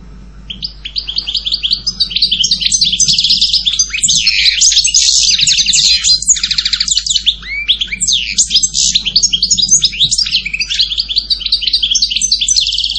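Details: European goldfinch in sustained song, about thirteen seconds of rapid tinkling twitters, buzzy trills and sharp whistled slurs, starting after a brief quiet moment and running almost without pause.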